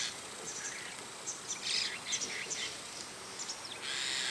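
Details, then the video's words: In the morning, a White-cheeked starling sits on an antenna while many other birds call nearby; a quick run of short, grating, chattering notes is followed by a longer harsh rasp. "朝のムクドリと鳴き声 White-cheeked starling"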